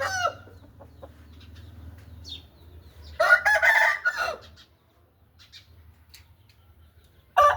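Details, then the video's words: Crowing Aseel chicken: a strong rasping crow in the middle, the tail of an earlier crow at the start and another beginning at the end, over low hum. "Showing Aseel Birds with Orignal Sound"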